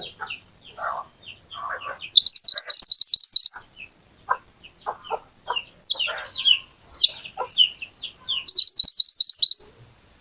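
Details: Little pied flycatcher in a lure recording meant to get other birds singing, described as lively and sharp-shooting: varied high chirps and slurred notes, broken by two loud, buzzy, rapidly pulsing high trills lasting over a second each.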